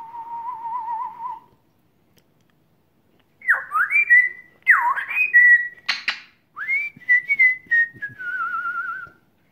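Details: Pet African grey parrot, over a year old, in a talk with its owner: a low trilling whistle, then swooping rising whistles, a sharp click, and a wavering descending whistled phrase.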